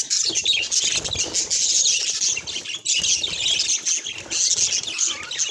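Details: Budgerigars chattering in a dense, continuous stream of high chirps, squeaks and warbles that overlap without pause, with brief dips in loudness near three seconds.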